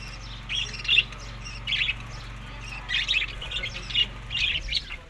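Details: Budgies at summer food, May to June, Larkana, Sindh: separate bursts of scratchy chirping about once a second, with quiet pauses between and a low hum that fades near the end.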